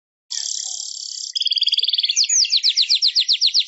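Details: Weaver (manyar) song used for training songbirds: a long buzzy high hiss, then rapid ticking notes, then a fast run of repeated rising-falling whistled strokes, about four per second.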